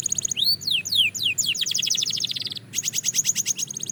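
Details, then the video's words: Belgian canary singing during a training routine: rapid series of swooping whistled notes between high trills, ending in fast, evenly repeated buzzy pulses after a brief pause. "Shocking Canary Singing Progress – You’ve Never Heard This Before!"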